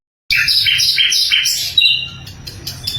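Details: Sikatan londo flycatcher song, loud and clear, meant for training songbirds. Rich, harsh double-toned notes repeat about twice a second, then thin into quieter, sharp high chips.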